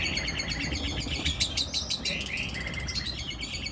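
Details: Trained long-tailed shrike singing nonstop in harsh, rapid-fire 'nembak kasar' style, full of borrowed phrases from birds like ciblek and lovebird. Continuous scratchy trills and quick sweeping notes run without pause over low steady rumble.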